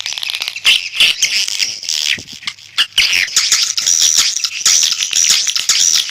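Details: Swiftlets calling on a lure recording: rasping, high twitters with clipped clicks at the start, then a steadier run of thin, piercing whistled chirps.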